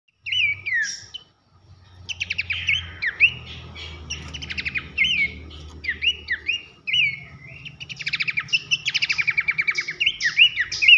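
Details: Masteran training recording of a bush babbler, pelanduk semak, loud whistling song for coaching contest songbirds: rapid chains of high, slurred whistles and sharp chips, falling and rising notes, brief pause after the opening burst, faint low hum beneath.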